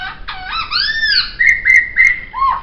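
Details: Poksay song: a long arched whistle sliding up and down, followed by three level whistled notes with sharp clicks and a short falling note at the end.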